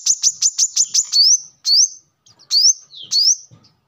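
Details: Brown-throated sunbird song for bird training: a short run of sharp high chips followed by several separate rising slurred whistles, with faint low knocks in the background.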